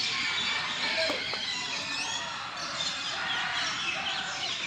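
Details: Many birds chirping at Alipore Zoo in Kolkata: a dense, continuous chorus of high, quick twittering notes and short squawks overlapping without pause, with faint background murmur.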